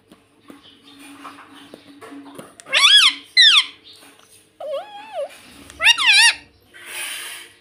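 A rose-ringed parakeet gives loud, harsh, wavering screeches in short bursts, a few in quick succession, over a quiet indoor background with a faint hum.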